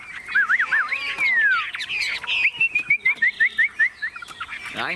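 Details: Very tame caged Chinese hwamei, its cage hand-carried and shaken, sings wavy looping whistles and a long falling slur, followed by a steady series of short clipped whistled notes.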